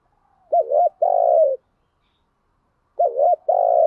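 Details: Caged spotted dove used as a decoy to attract wild doves. Two deep coo phrases, each a quick wavering double note and then a drawn-out, slightly falling hum, with a pause of over a second between them.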